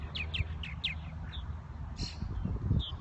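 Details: Purple martins in spring at Irving Park and Lake Michigan, Chicago, giving quick, descending chirps, four in the first second, then scattered notes, over a heavy low rumble of wind and background noise.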